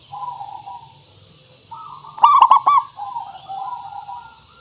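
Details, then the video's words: {'caption': "A local zebra dove's song used as a calling lure: a single strong burst of four fast, ringing coo notes sits midway, framed by quieter, longer cooing notes before and after."} "Suara Pancingan Burung Perkutut Pikat Paling Bagus Supaya Bunyi"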